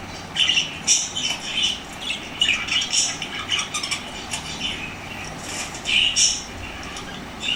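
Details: Lovebirds growing active and energetic in response to played lovebird sounds; shrill, harsh squawks and chirps repeated in quick bursts about every half second, with a steady background hiss.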